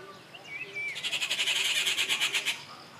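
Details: A rising whistled note leads straight into a rufous treepie's loud grating rattle of about fifteen quick raspy pulses, recorded at Kattupadi on 19 June 2021.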